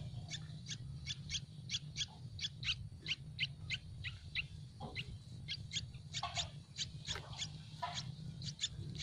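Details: Hungry baby Yellow-vented bulbuls begging for food in a nest in a tree, giving a long run of bright high chirps in steady succession, with a few lower notes and a low background rumble.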